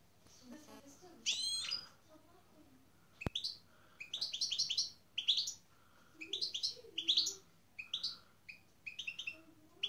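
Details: European goldfinch kept with a canary for breeding pairing; bright twittering song in quick bursts of high, rapidly warbled and trilled notes, with short pauses between phrases and one sharp click.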